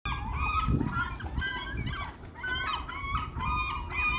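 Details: Many gulls, possibly fighting over food, call at once in harsh, nasal squeals and yelps, overlapping in a steady clamour, with low rumbling noise beneath.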